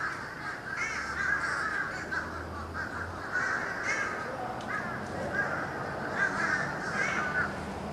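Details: Massive bird flock passing over a Florida home on 31 December 2011, filmed with a camcorder. A roaring wall of raucous, overlapping calls rises and falls, with a low steady hum underneath.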